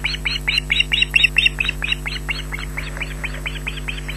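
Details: Smallest osprey chick at a Loch Garten nest in Scotland, filmed by live nest camera on a June evening, shrieking for food from its parent while a sibling hides beneath her; rapid series of high, harsh piping notes, slowing slightly, over steady electrical hum.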